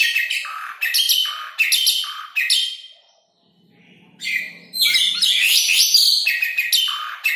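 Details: Asian pied starling song used for training caged birds or luring wild ones: strings of harsh, buzzy chatter and squeaky whistles, a quiet gap with a faint low hum, then a dense tumbling burst of notes.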